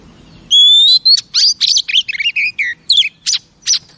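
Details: A female oriental magpie-robin sings to excite males. A clear, slightly rising whistle opens the clip, followed by a quick string of varied chirps and slurred notes that drop in pitch.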